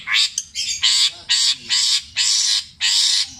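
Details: Long-tailed shrike kept in captivity, a Java bird singing a mimicked medley of kuntilanak, tengkek buto and greja in petir style, here giving a run of loud, harsh, broad rasping bursts, each about half a second long.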